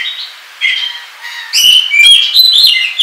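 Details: 'Ngobra' song of an Oriental magpie-robin used to lure and tutor birds: softer wavering whistles first, then a loud burst of rapid warbled, slurred high notes with overtones, lasting to the end.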